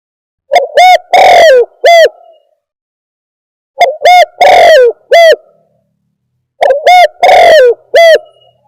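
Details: Spotted dove trapping lure. Three identical phrases about three seconds apart: two quick coos, a long rough coo and a short final coo, in a clear, loud recording with silent gaps.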